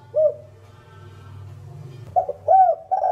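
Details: Spotted dove calling coo in the 'thổ đồng' voice: one isolated short coo, a stretch of low humming noise, then quick paired notes and a strong arched coo.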